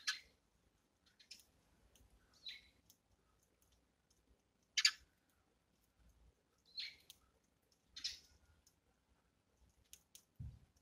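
Eurasian tree sparrow giving short, dry, high chirps, single or in quick pairs, every one to two seconds, with faint soft knocks and thumps in between.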